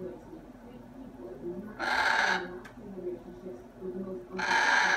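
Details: Pet macaw being talkative indoors: two loud, harsh, broadband squawks about half a second long each, separated by a quiet gap, with low room hum underneath.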